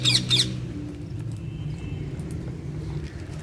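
Alexandrine parakeet giving two quick, harsh, raspy squawks in the first half-second, then only a low background hum.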